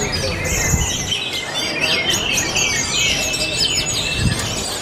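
Orange-headed thrush singing a rapid, continuous stream of varied high whistles, chirps and trills with no pauses, over a low background rumble.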